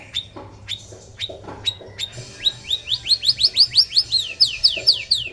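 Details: Male white-rumped shama singing: a few sharp high squeaks, then a fast rhythmic series of bright, high, rising-and-falling whistled notes, about three per second, over a low background hum.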